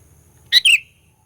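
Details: One loud phrase from a sooty-headed bulbul lure song aimed at provoking rivals: a ringing sharp note immediately followed by a slurred, downward-trailing chirp, clean and brief against a quiet low hum.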